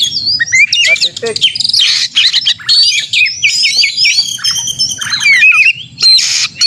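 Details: Oriental magpie-robin singing its combative narung song, meant to provoke rival magpie-robins into calling and tail-spreading: bright, varied whistles sliding up and down, rapid trills and scratchy notes in quick bursts with short breaks, low rumble beneath.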